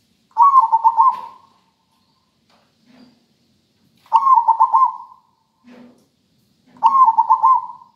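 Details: Rhythmic, melodious zebra dove song from a local bird: three bubbling phrases of rapid pulsed coos ending in a drawn-out hum, with faint low murmurs in the gaps between them.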